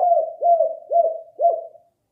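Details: Spotted dove (balam kuk) lure call: four evenly spaced, hollow coos about half a second apart, each rising briefly and then falling, followed by silence.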